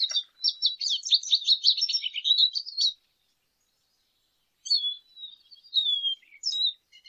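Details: Lesser goldfinch delivering a rapid three-second run of high, jumbled twittering notes, then silence, then scattered thin whistles and chirps including a descending slurred whistle.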